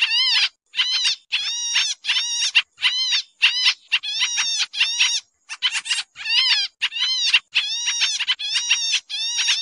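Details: Pied triller lure call, described as noisy: rapid bursts of harsh, nasal chattering notes, high and buzzy, about one burst each second with brief gaps between.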